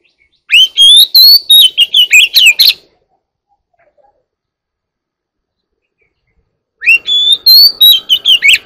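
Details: A one-year-old Oriental magpie-robin sings two bursts of rich, varied whistles and sweet high notes, quick and rambling, with a pause of silence between them.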